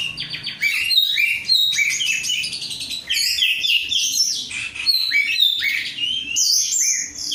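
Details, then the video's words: Rudal korea style singing from an oriental magpie-robin in training: rapid, dense bursts of chirped and whistled notes, many quick repeated figures, bright and high, broken by brief pauses every second or two. "rudal korea kacer gacor"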